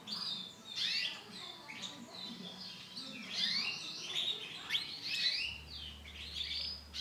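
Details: Brown female canary calling: a run of sharp, high twittering chirps and short slurred notes, fairly continuous, with a low steady hum in the background.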